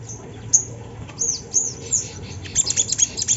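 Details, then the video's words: Sunda laughingthrush song played to coax other birds into singing: scattered high, whistled slurs at first, then a quick run of sharp chirps in the final second. "Suara sogon yang bikin bunyi burung bahan"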